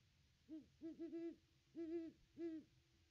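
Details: Great horned owl hooting at its nest tree on a nest cam, 25 December 2021, a pair visiting. Five low, soft hoots in uneven rhythm: two single notes, a quick doubled pair, then two more spaced half a second apart.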